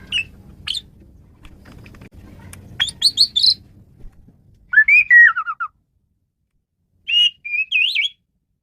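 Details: Male Asian pied starling, recorded to lure and train birds: upslurred whistles and a falling warbled phrase, then a short wavering whistle, over early low background hum.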